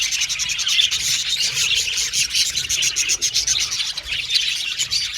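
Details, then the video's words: Group of pet budgerigars singing and chattering: an unbroken wash of fast, scratchy high chirps and warbles with rhythmic clicking pulses. "Budgies Chirping Sound"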